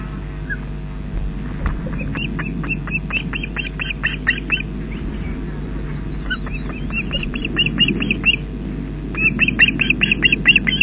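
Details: Osprey at a nest webcam at Loch Garten, Scotland, on 20 June 2012 around 13:24, as an adult brings fish to the chicks: runs of sharp, whistled chirps repeated rapidly in bursts over steady low wind rumble.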